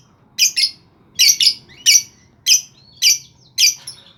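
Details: Lovebird calling, meant to draw other lovebirds into song: loud harsh double squawks repeated roughly every half second, shrill and grating, in a quiet room.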